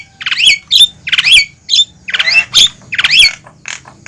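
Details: Javan myna lure call meant to pull wild mynas toward a trap: grating squawks with rising whistled inflections, delivered in spaced bursts about every half second.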